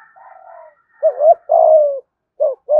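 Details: Spotted dove in the 'giọng thổ' gù thúc singing style, played to lure wild doves in: a soft low coo, then short husky notes and a drawn-out falling coo, with two clipped coos at the end. No other sounds.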